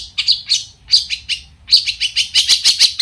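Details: Singing long-tailed shrike, whose song prompts rival shrikes to answer, gives a dense burst of scratchy, buzzy high notes and twittering chatter in quick succession.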